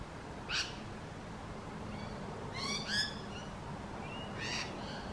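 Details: Rainbow lorikeet screeching: three raspy, noisy bursts spread across five seconds, mixed with thinner whistled and chattering notes, over steady low background noise.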